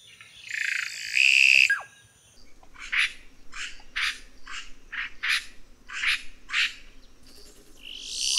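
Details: Red-rumped cacique with a long nasal buzz that falls away, followed by a quick run of about eight harsh, chattering notes and a final rising wheeze, with steady low hum behind.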